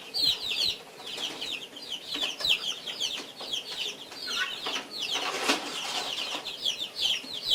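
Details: Three feeding guinea fowl at breakfast: high, rapid chirps run on continuously, broken midway by a brief burst of wing-flapping or rustling noise before the chatter resumes.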